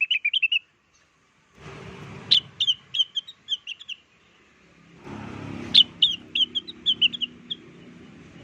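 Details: Lure song of a blue-winged leafbird, played to make wild birds respond. Rapid bursts of sharp, bright whistled notes come in separate strings, with two of them sitting over short patches of low hissing noise.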